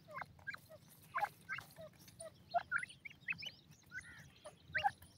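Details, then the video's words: Grey francolin chicks calling: short, thin peeps and downslurred chirps given irregularly in a loose, overlapping chatter, several birds at once, with a low background hum. "gadray teetar k bachay,pheasant bird babies ke calling"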